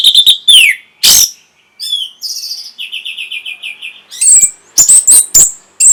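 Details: Orange-headed thrush song, played to stimulate breeding condition and provoke a reply. Loud slurred whistles near 3–4k alternate with harsh, explosive broadband bursts, then a run of quick, even, buzzy notes, ending in sharp high chips.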